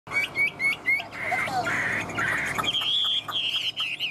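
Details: Caged Chinese hwamei kept as a songbird, said to be fired up: three short bright whistled notes, then a stretch mixed with clapping and voices, then a long high whistle and wavering phrases.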